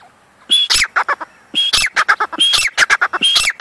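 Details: Grey francolin calls recorded with a captured chick: a short whistled note rises into a run of rough, clipped squawks, heard twice in under four seconds after a quiet start.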